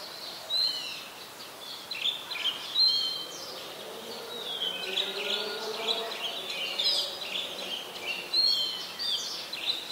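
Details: Chestnut-headed bee-eaters in Ubon Ratchathani, Thailand, January 2021; many rolling, slurred chirps overlapping in a busy chorus, some descending, with lower faint calls and steady background hiss.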